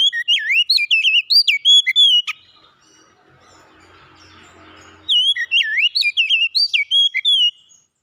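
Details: Oriental magpie-robin singing energetic, fluty phrases with sharp slides in pitch, a quiet gap of a few seconds, then a second bright, varied whistled run.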